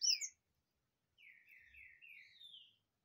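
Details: Double-collared seedeater singing a rachinha-style song while kept in the sun: a brief high chirp, a pause, then a run of rapid buzzy descending slurred notes that rise at the end. No other sounds.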